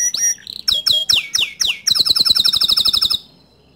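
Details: Atlantic canary singing to provoke other canaries into song: a few loud, sharp downward-sweeping notes, then a fast, even, high trill of about a dozen bright notes that stops abruptly, leaving near silence.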